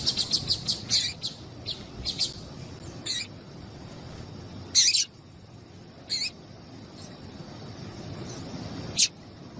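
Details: Female double-collared seedeater calling to stir a male into song: short sharp high chirps, a quick cluster at the start, then single bursts spaced every second or two over faint background hiss.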